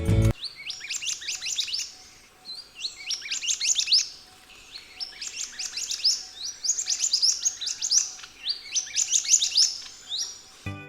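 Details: Orange minivet (Pericrocotus flammeus) call, Sri Lanka: five bursts of thin, high, rapid notes, each about a second long and repeated every two seconds, over a faint steady hum; species travels in flocks in moist forests.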